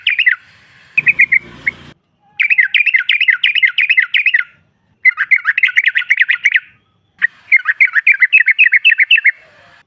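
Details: Female yellow-vented bulbul calling to provoke rivals: repeated bursts of rapid, bubbling chatter in three long phrases, with a short low rustling noise near the start.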